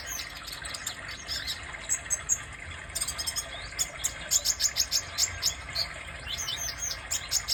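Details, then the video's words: A red-chested sunbird, known in Indonesia as kolibri dada merah, gives a thin, very high-pitched twittering song. Rapid squeaky chirps come in bursts, with a faint steady buzz underneath. "Kolibri dada merah"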